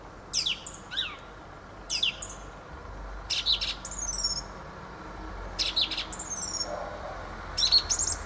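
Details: Fieldfare song delivered as separate short strophes of harsh rasping notes and high, slurred squeaks, spaced about every one and a half to two seconds.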